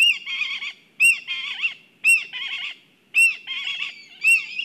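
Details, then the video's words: Excited black kites at a nest in Kurzeme, Latvia. Each sharp rising note is followed by a tremulous, stuttering whinny, repeating roughly once a second in a steady rhythm. "Satraukums ligzdā Melnās klijas (Milvus migrans)"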